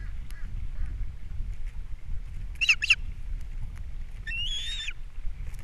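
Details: Osprey at a Captiva nest, April 3, 2022, fish brought in and chicks fed: two quick sharp chirps near the middle, then one drawn-out whistled call, otherwise quiet apart from a low rumble.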